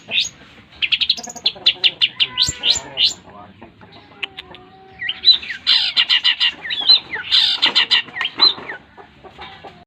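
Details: Eight-month-old contest Long-tailed Shrike in full Tengkek Buto song with greja and yeret: a fast series of sharp ticking notes, then a dense high chatter of harsh repeated syllables after a short lull.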